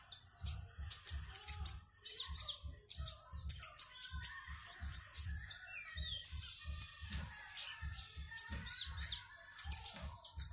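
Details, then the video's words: Caged konin (Van Hasselt's sunbird) from Singkawang, West Kalimantan, entered in an online singing competition, delivers rapid high, thin chirps and twittering trills in quick bursts over a steady low rhythmic thumping beat. "LOMBA KONIN ONLINE 12 - Aksi KONIN"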